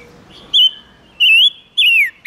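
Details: Silver-eared mesia song used as a lure to call wild birds and excite males: three loud, clear whistled phrases, each slurred and wavering, spaced about half a second apart, over quiet background hiss.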